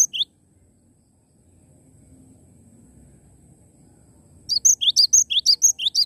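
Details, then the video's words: Cinereous tit, a genuine bird in active song: a few notes, then a quiet stretch with faint low noise, then a brisk run of rising chirps and high whistles repeating about twice a second. "Glatik Batu Gacor Mantul Bukan Mp3"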